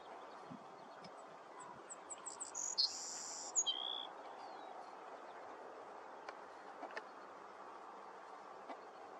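A Savannah Sparrow sings a thin, high song of quick chips leading into a buzzy trill and a lower final note.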